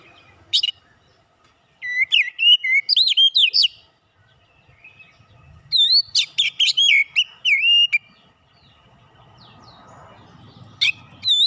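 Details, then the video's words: Oriental magpie-robin (kacer) lure song: bursts of loud, rich whistles, twisting slurs and high sharp notes, repeated in rapid runs with short pauses and faint background rustle. "PANCINGAN KACER LANGSUNG PANAS BONGKAR ISIAN"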